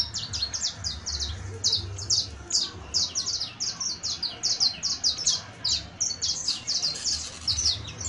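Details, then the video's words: Bright, rapid song of a saffron finch: dense strings of piercing high chirps, about two per second in short clusters, steady and loud against a faint low rumble. "12 MINUTOS DE AUDIO DE CANTO DE CANARIO CRIOLLO EJEMPLAR [SICALIS FLAVEOLA]"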